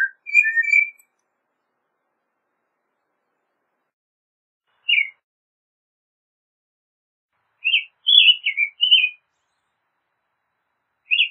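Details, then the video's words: Sparse American robin phrases: a brief whistled pair at the start, then isolated short, bright notes and a small cluster of quick slurred chirps, with long silences between. "American Robin Song! Call! Sound! Singing! - Mirlo Primavera Canto- Turdus Migratorius"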